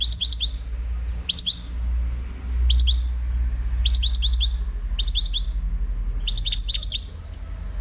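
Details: European goldfinch, wild-caught bird from Morocco, singing short clusters of three or four high, crisp twittering notes roughly every second, over a loud low rumbling hum.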